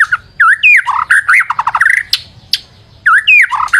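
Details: White-rumped shama lure song: loud slurred whistles, a quick run of descending rattling notes, two sharp clicks, then another rising whistled phrase.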